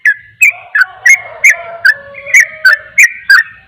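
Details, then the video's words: Rapid 'ropel' song of a yellow-vented bulbul, meant to rile rival bulbuls: sharp chirping notes in a steady rapid series roughly three per second, with a faint lower whistle running beneath. "Trucukan ropel, trucukan lain akan emosi dengar suara trucukan ini"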